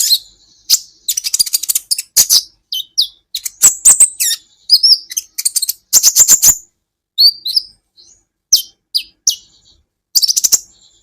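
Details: Kolibri ninja, or olive-backed sunbird, in a masteran recording for songbird training: bursts of rapid high ticking alternating with thin squeaky whistled phrases and silent gaps over about eleven seconds.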